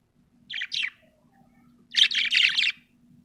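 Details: A happy budgie chirps twice, then gives a longer run of fast, buzzy chattering notes, all bright and high, in a quiet room with a soft low hum.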